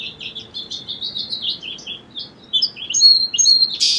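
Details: A song sparrow sings a run of clipped high notes that speeds into a fast, slightly buzzy jumble, ending in a louder rising burst.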